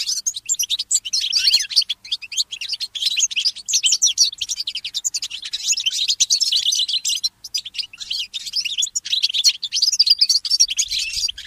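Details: Early-morning song of a goldfinch mule, an unbroken stream of rapid, high-pitched twitters, trills and chirps that keeps going for the whole stretch with only tiny pauses.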